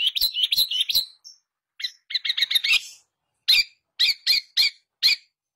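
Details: Long-tailed shrike song, a lively bout meant to prompt a silent captive bird to sing: rapid harsh chattering notes in quick runs, then a pause and a slower series of separate loud raspy notes.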